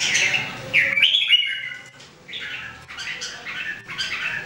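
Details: Three caged Red-whiskered Bulbuls trained to sing every day; quick warbling bursts of slurred whistles, several phrases in quick succession with a low hum behind.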